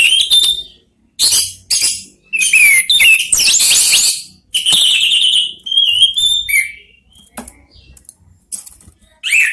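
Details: Orange-headed thrush, one of three caged birds answering each other, used as a song lure for other birds; loud, varied whistled and harsh phrases in bursts with short pauses, some high rising notes and buzzy rattles.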